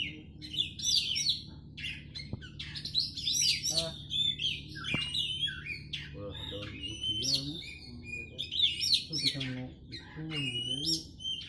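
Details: Oriental magpie-robin in rapid, varied song of chirps, trills and whistled slurs in bursts, two faint clicks early on, and a low murmur of voices in the background toward the end.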